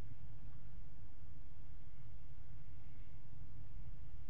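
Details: Steady low rumble and hiss, like machinery or wind, with no animal sound.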